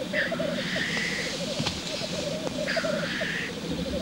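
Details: Male black grouse at the lek. Rolling bubbling coos are broken by two harsh, drawn-out hissing sneezes, one near the start and one after the middle.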